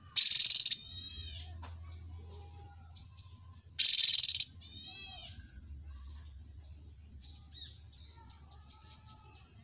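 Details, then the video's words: Cucak cungkok singing. It gives two loud, harsh bursts about four seconds apart, each followed by a falling run of rich, layered whistles. Softer scattered chirps and short whistles fill the gaps over a faint low hum. "TERMASTER YANG SANGAT BAGUS CUCAK CUNGKO"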